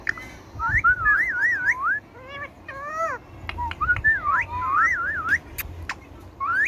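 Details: Indian ringneck parakeet, a talking pet, whistling wavy rising-and-falling phrases, repeated in two long runs separated by short arched notes and sharp clicks.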